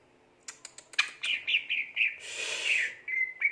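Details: Greater green leafbird singing gacor: a few sharp clicks open a string of warbled whistles, then a harsh rasping burst and more short whistled notes.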